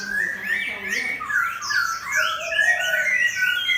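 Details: Caged Chinese hwamei singing against a fighting bird with its tail fanned: loud, rolling chain of whistled, looping phrases, rising and falling quickly, steady and unbroken.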